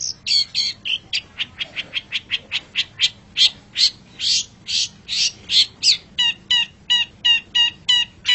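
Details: Long-tailed shrike in a masteran recording: a fast, rhythmic series of harsh, buzzy chattering notes, nearly three per second, turning into a steadier repeated note pattern in the second half.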